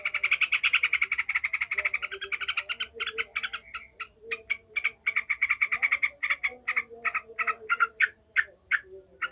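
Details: Angry ngekek chattering of a yellow-vented bulbul, played to strengthen other bulbuls' fighting mentality: an opening burst of very rapid rattling notes, then sharper separate harsh notes in quick series, with a faint low hum behind.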